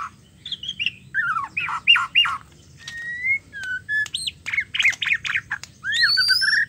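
A female white-rumped shama calls to the male: a quick, uneven run of clear whistles, slurred rising notes and harsh squawks, over a low steady hum.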